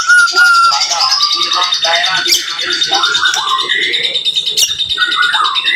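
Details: Murai, the white-rumped shama, in rapid 'tembakan rapat' song for training: a brief clear whistle, then tumbling warbled phrases and sharp chips layered over a constant high thin tone.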